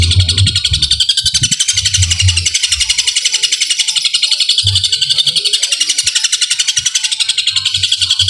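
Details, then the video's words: Long-tailed shrike singing a super-long fighting song packed with sparrow-like bursts in one breath. High, buzzy chatter pulses steadily about four times per second throughout, with occasional low knocks and rumbles beneath. "Cendet tembakan gereja tarung super panjang istimewa sekali nafas"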